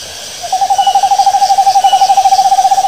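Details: Owl giving a rapid trilled hoot: a steady, mid-pitched tremolo of evenly pulsed notes, about ten per second, starting after half a second and running without a break to the end over faint background hiss.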